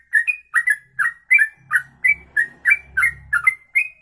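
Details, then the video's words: Songbird singing a ropelan-style song, a long song delivered in one breath: bright whistled chirps near the same pitch, roughly three per second, each with a sharp upper tinkle, over a faint low hum. "Inilah Ropelan Sekali Nafas 2 menit lebih"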